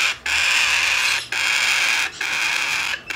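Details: Hand-tame, domestically bred blue-eyed cockatoo chick, recorded 14 September 2019, giving three long, harsh, rasping screeches, each about a second long, separated by brief silent breaks.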